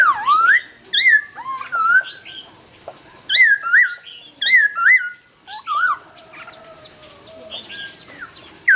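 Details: Laughingthrush pouring out dawn song: strong, varied whistled phrases with swoops and upward flicks, repeated in bursts about once a second, interspersed with sharp high notes and brief pauses.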